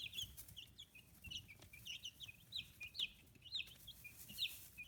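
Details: Free-range chicks at 15 days old in Kitahiroshima, Japan, feathers coming in: a steady flock of short, high chirps, some rising and some falling, overlapping at varied loudness, plus faint knocks.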